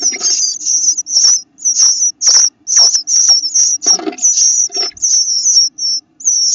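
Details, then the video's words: Eastern bluebird nestlings, eyes starting to open, making their new peeping sound: bursts of high, thin, quavering peeps, each under a second, repeated with short gaps, alongside faint rustling of the young birds moving. "Eyes have started to open and they are making a new sound when they peep"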